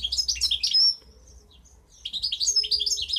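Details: Goldfinch hybrid from 2015 in song: a burst of quick tinkling twitters ending in a thin drawn whistle, a near-silent pause of about a second, then the bright chattering resumes.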